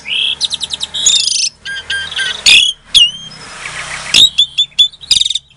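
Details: Captive-bred Asian pied starling from a breeding farm in Klaten, Indonesia, singing to provoke silent starlings into answering; harsh buzzy rattles, sharp whistled upslurs and squeaky chattering notes in quick bursts, some clicks between phrases.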